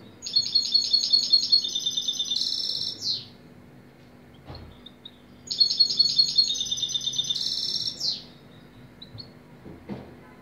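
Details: Two matching phrases from a singing European goldfinch, each a quick run of crisp, ringing notes, then a harsh buzzy rattle and a falling slurred note. About four seconds of near silence and a few soft chirps separate them.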